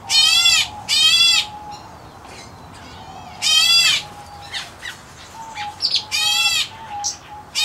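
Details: White-headed black bulbul chick, a subspecies with pure white head and chest from the Indian area, kept in an aviary; harsh, raspy, harmonic-rich squawks in bursts about every three seconds, with fainter chirps and a steady low tone between.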